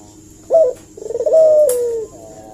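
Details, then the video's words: Collared dove cooing as a lure to draw an answer: one brief clipped note, then a stuttering lead-in that swells into a drawn-out, gently descending coo lasting about a second. "suara burung puter gacor ini pancingan nyaut"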